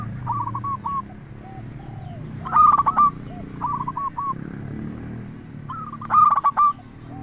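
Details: Local zebra dove singing to draw responses from other doves: soft coo series alternating with two loud, stuttering coo bursts roughly three and a half seconds apart, over low background rumble.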